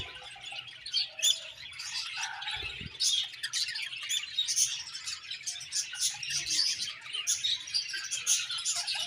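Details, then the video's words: Many budgerigars in a colony chirp happily, a thick layer of high twittering, scratchy chatter and quick tweets with no pauses, and a brief low knock near the middle. "Budgie birds Happy Colony Chirping"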